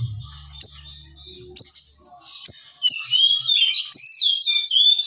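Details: Small, very lively siri-siri bird singing dense, sharp bursts used as tutor song for other songbirds: scattered high sharp notes, then a continuous run of bright whistled trills and slurred phrases, with a faint low hum early on.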